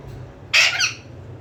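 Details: Pet talking parrot giving a single loud, harsh squawk about half a second long, with rough noisy energy across a broad high pitch range, indoors over a faint low hum.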